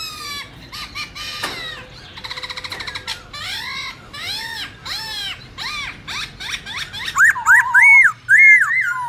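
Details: Wild song of a Black-throated laughingthrush used to coach young birds: it opens with harsh rattling chatter and arched buzzy notes, then finishes with loud clear looping whistles.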